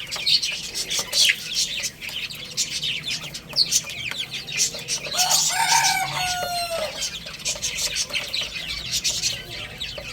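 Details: Baby chickens playing and eating: busy high peeping and tapping throughout, with a drawn-out rooster crow around the middle rising above the chicks' chirps.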